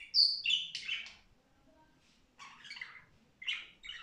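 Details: Cheerful budgerigar song heard as bursts of bright chirps and scratchy twitters, a loud squeaky opening phrase, then a near-silent pause followed by two further chattering bursts.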